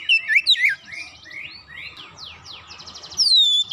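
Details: Lure recording of Oriental magpie-robin meant to start birds singing: a few sharp, loud whistled notes, then softer rising and falling slurred whistles and a buzzy trill, ending with a strong downslurred whistle.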